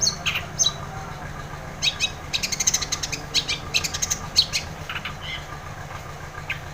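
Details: Long-tailed shrike singing vigorously, used to prompt a quiet shrike to sing: harsh, scratchy, high chattering notes in quick clusters and short bursts, with brief pauses between groups, over a steady low background hum.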